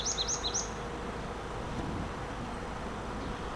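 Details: Marsh tit heard by trees in the New Forest, England, March 2025, recorded with a DJI Mic 2: three quick, high, paired chirping notes in a short burst at the start, then a steady low rumble of a running car engine.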